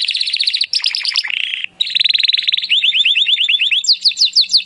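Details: Timbrado canary song for improving canaries' singing: rapid rolling trills shifting pitch, a brief break, then even runs of repeated notes rising into high sweeping strokes.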